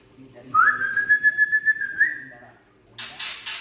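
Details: White-rumped shama of the Tangse line giving harsh trek calls meant to stir young birds: one long steady whistle that rises slightly and wavers, then dense rasping bursts near the end.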